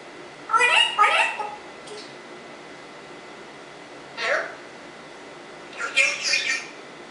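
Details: African Congo grey parrot, kept as a pet, chattering in short speech-like bursts: a rapid cluster of two syllables, a lone clipped sound, then a final pair, with long quiet gaps between.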